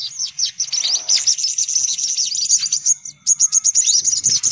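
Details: Sunbirds calling in a lure track meant to draw them in: rapid, high, twittering chirps packed closely together, a short gap after three seconds, then more sharp notes.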